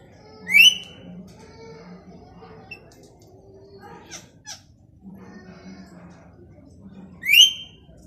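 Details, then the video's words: Plum-headed parakeet uttering two shrill, upward-sweeping squawks about seven seconds apart, with a person speaking softly and small clicks in between. "The Plum-headed Parakeet Voice"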